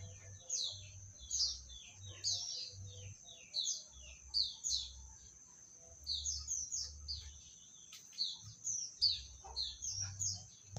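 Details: Medan-type Oriental magpie-robin song, softer and more spaced: short whistled and twittering phrases in clusters separated by brief pauses, over a constant high-pitched ringing and intermittent low humming.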